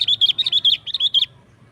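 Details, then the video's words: Sooty-headed bulbul in lively 'gacor' song: seven quick, clear whistled chirps in a little over one second, each note bending up and down, over faint low background hum. "Suara Burung KUTILANG GACOR Nggaruda"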